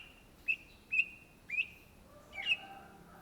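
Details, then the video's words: Cucak ijo, or greater green leafbird, giving four clear, high whistled notes spaced about half a second apart, each sharply accented, with a faint lower tone underneath near the end. "SUARA BURUNG CUCAK IJO GACOR , TELER"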